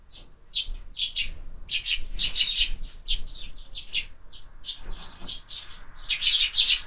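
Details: Evening chatter of sparrows at a window feeder where birds are fed year-round: rapid, continuous high chirps from several birds, irregular and busy, thickening toward the end.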